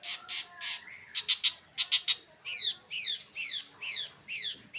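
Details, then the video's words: Late-afternoon long-tailed shrike: scratchy notes, then quick doubled chips, then a series of sharp, down-slurred whistles repeated roughly twice a second. "Kicauan Cendet di Sore Hari"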